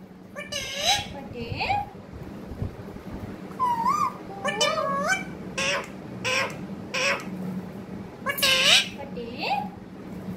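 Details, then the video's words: Parrot talking and squawking by turns: loud broadband rasping bursts mixed with curving, rising tonal syllables at irregular intervals, with a steady low hum in the background. "Pyaari baate karne wala tota"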